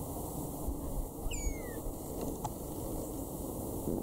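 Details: Red-winged starling (Onychognathus morio) musical contact call from a male and female pair feeding on prickly pear berries in the Eastern Cape, South Africa, March 2016: one clear, falling whistle over about half a second, over low wind or traffic rumble.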